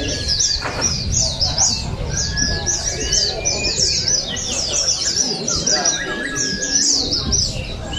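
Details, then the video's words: Contest oriental white-eyes in Balingian, Sarawak, 2023, judged on voice and style; dense bursts of high, bright chirping notes run almost without pause, while people talk in the background. "Juara Pleci | Pertandingan Seni Suara dan Gaya Burung"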